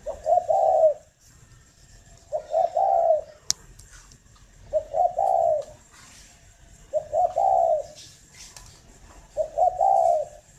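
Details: Spotted dove from a breeding bird farm in Ba Vì, Hanoi, Vietnam, cooing in the morning: five low coo phrases, each a couple of quick notes leading into a longer purring coo, repeated about every two seconds.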